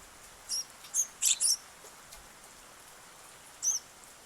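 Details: Sparrow visiting on 8 August, the day's first arrival: brief thin high chirps, a single note, another, then a tight pair, and after a pause one more, against faint background hiss.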